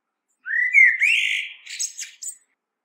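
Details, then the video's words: Common blackbird song phrase: a rising fluted whistle that swells and slides, followed by a cluster of high, squeaky twittering notes that fade out. "common blackbird sounds"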